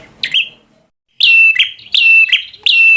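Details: Bar-winged prinia singing chattery 'gacor' fighter song to provoke a rival bird: a single sharp note, a short silence, then a fast string of loud clicky notes, each trailing into a level whistle.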